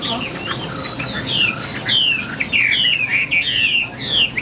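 A Chinese hwamei pours out loud, fluid whistles: quick slurred notes that swoop up and down in varied phrases. A faint steady high hum runs underneath.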